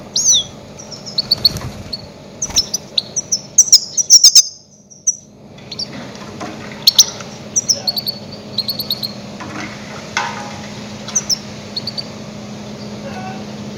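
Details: Goldfinch calls used as a lure for catching grey-headed goldfinches: rapid high, bright twittering notes in quick clusters, a few pauses between bursts, over a steady low hum.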